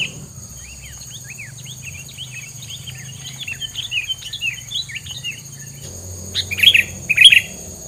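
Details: Bird filler song: a long run of soft quick twittering chirps that grows busier, then two loud sharp bursts near the end, over a constant high background tone.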